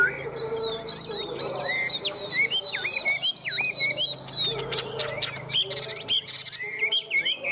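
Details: Caged Chinese hwamei singing fighting song; a long run of high looping whistles and slurred dips, then clipped staccato notes and brief buzzy bursts, over a steady low hum.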